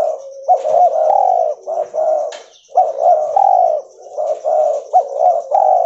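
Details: Albino cotton-white mutant spotted dove cooing in repeated low, hollow phrases, each with a short rising note then a drawn-out throaty coo, with brief pauses between bursts; a faint steady high whine runs underneath.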